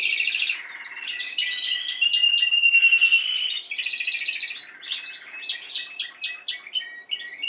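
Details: Spanish timbrado canary song from last season's bird, recorded with this season's young learning to sing: bursts of rapid rolled trills and metallic chirps, switching between low and high rolls with short pauses.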